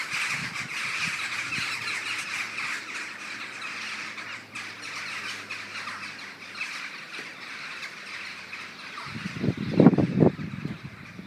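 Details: Common starling flock murmurating on the morning of 21 November 2012; a constant high chattering hum from countless birds, ending in a burst of loud low wind buffeting.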